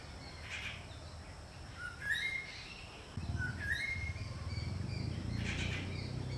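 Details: Greater racket-tailed drongo, a species heard mimicking other birds: clear, rising whistles and metallic notes every second or so, over a steady low rumble of background noise.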